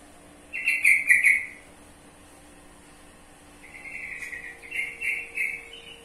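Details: Sooty-headed bulbul (trucukan) delivering a rapid, chattering run of notes, a short burst followed after a pause by a longer, rolling series of repeated notes.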